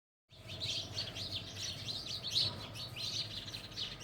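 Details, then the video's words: House sparrows, described as once common around homes in childhood but now rare, chirping: dense overlapping short chirps in continuous chatter, several birds calling together with a low background hum. "House sparrow((चिमणी पाखरं)).... chirping sound of birds.."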